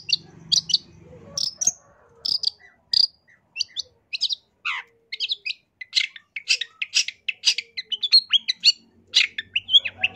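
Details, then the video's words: Singing long-tailed shrike, gacor full isian style: sharp high chips spaced apart at first, a downward slurred whistle, then increasingly dense mixed phrases of squeaks, trills and scratchy notes, with a faint low hum at times. "CENDET GACOR FULL ISIAN"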